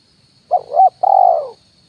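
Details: A single spotted dove 'kuk 1' phrase used to lure birds, on a branch and the ground: a short rising-falling coo, then a longer, gently falling coo lasting half a second.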